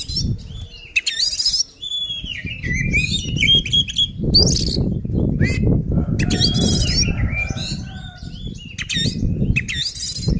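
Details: Oriental magpie-robin in combative song meant to provoke other birds: fast run of whistles, trills and harsh rasping bursts, with heavy low rumbling and thumping throughout.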